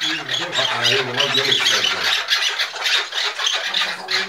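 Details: Agitated chukar partridges, five birds quarrelling together: shrill, hoarse chatter in fast, uneven bursts, about three per second, with a man talking at the start.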